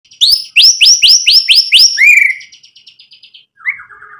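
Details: White-rumped shama song used as a lure to provoke other birds into singing: a rapid series of loud, sweet upslurred whistles repeated about twice a second, then a trailing buzzy trill and a softer rattling phrase after a pause.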